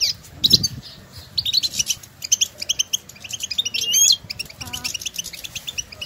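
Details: Goldfinches in nature calling to each other; bursts of fast, high twittering and swept notes with short gaps, plus one lower nasal call and soft low rumble.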